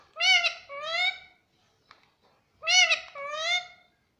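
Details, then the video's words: Pet Indian ringneck parrot talking, saying mummy; two clear two-syllable mimicked words about two seconds apart, each a nasal, rising then falling phrase, in a quiet room. "bolta parrot"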